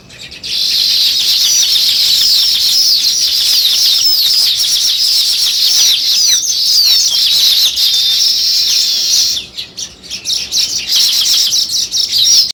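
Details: Loud, unbroken chorus of many chirping sparrows lasting about nine seconds, then thinning into irregular chirps amid rustling and wing sounds.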